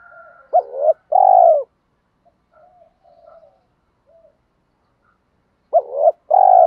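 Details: Spotted dove cooing to lure wild doves: a loud two-part phrase of a quick hooked note and a sustained coo, faint soft coos in the pause, then the phrase starts again.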